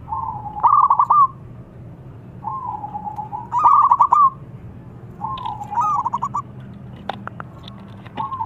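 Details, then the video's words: Lively local zebra dove song, meant to set other zebra doves singing: three phrases roughly every two and a half seconds, each a drawn-out low coo followed by a quick stuttered burst of notes, with a few sharp clicks late. "PERKUTUT LOKAL ALAM GACOR SUARA PERKUTUT BIKIN RAMAI PERKUTUT LAIN"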